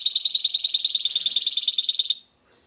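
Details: From Šuto Orizari, a hybrid goldfinch (mule) gives a sustained high trill. Rapid, evenly spaced ringing pulses continue for about two seconds before ending abruptly.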